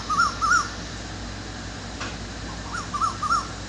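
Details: Cuckoo calling in the dark in the evening gives short, clear, arched whistled notes, first a pair, then three more in quick succession, over a soft steady hiss.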